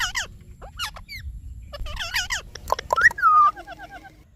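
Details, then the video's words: Indian ringneck parakeet, a talking pet parrot, giving rapid wavering chirps and then a clear rising-and-falling whistle followed by short repeated notes. A low background hum is present. "Talking Parrot Chirping Sounds"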